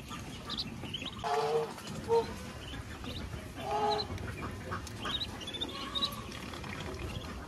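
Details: A duck mother with ducklings eating at a rural farm utters a few hoarse quacks, a pair early and another a couple of seconds later, with soft chirping and a steady low background noise.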